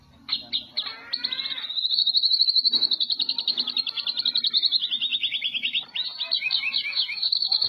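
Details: A Medan white-rumped shama, a caged competition champion from the 2018 Presiden Cup, pours out a fast, unbroken high-pitched chatter of tightly repeated notes in the full tembakan cililin style, with brief whistled slurs.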